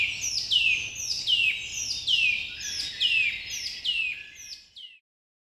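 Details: A single bird in the morning repeats a clear, high down-slurred chirp about every half second, eight or nine times, before falling silent.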